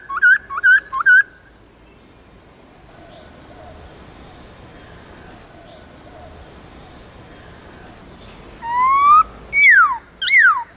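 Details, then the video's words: White-cheeked laughingthrush from the Central Highlands singing its wild-style forest song, played to train caged birds: a quick burst of three looping whistled notes, a long quiet pause, then loud rising and falling whistled slurs. "Luyện khướu bạc má Hót Giọng Rừng kích khướu hót cực sung/khướu Tây Nguyên hót giọng rừng âm dài rõ"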